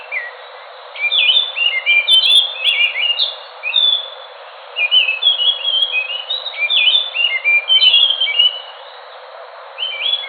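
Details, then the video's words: An Enggano thrush (Geokichla leucolaema), a small thrush of Enggano island west of Bengkulu, Sumatra, sings long runs of varied, fluty whistled phrases in quick succession, rising and falling at a high pitch, with brief pauses between bursts. "Anis nusa tenggara (anis macan )suara asli"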